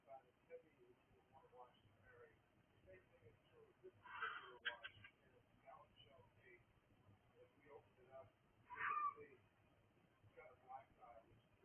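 A cockatiel gives two harsh, screechy calls about four and a half seconds apart, over a murmur of indoor voices.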